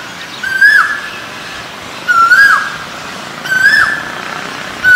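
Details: Male Asian koel repeating a loud, clear whistled note that rises and then breaks downward, four times in quick succession, with a quiet background.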